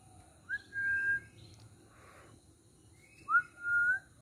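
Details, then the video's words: Rose-ringed parakeet known as a talking bird in Sri Lanka, producing two pure, level whistles, each starting with a quick upward slide, separated by a soft rustle and quiet pause. "talking ringneck parrot sinhala|කතා කරන මාල ගිරවා"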